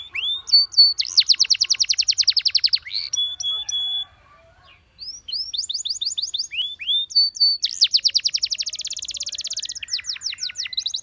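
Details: Canary singing to stimulate companions into song: loud rapid trills of repeated high notes, brief pure whistles, a short pause near four to five seconds, then more dense fast rolling trills.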